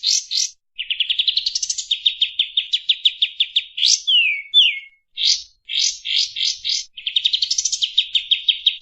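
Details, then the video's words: Clear, fast Kapas tembak song used as a tutor for other songbirds: rapid rows of sharp repeated notes, rising buzzy sweeps, and two downward slurred whistles midway, with very brief gaps. "Masteran Kapas Tembak Speed Rapat Nembak Durasi Panjang Suara Jernih"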